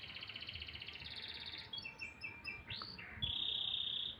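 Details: A canary sings in the morning, moving from a fine buzzy trill into short slurred whistles, a sweeping upward note, then a bright, level, rattling tone.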